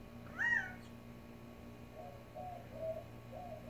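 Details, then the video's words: Quail in a Tucson desert backyard gives one loud, sharp call that rises then drops, followed after a pause by several soft, low mewing notes, over a quiet constant hum. "Quail making funny sounds in the Tucson desert"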